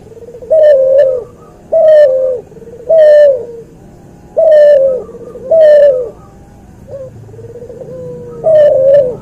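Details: Hybrid cuhu dove bred from a white albino puter crossed with a puter pelung, used for song training, gives six drawn-out steady coos, each slightly falling at its end, at uneven intervals of one to two seconds.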